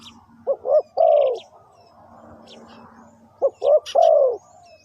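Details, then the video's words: Spotted dove used as a lure for wild birds, giving two three-note cooing phrases: two short rising notes followed by a longer, falling, rolling coo, repeated after a pause. Faint chirps of other birds sound in the background. "Chim cu gáy chiêu kích mồi tập bổi nhanh nổi hiệu quả"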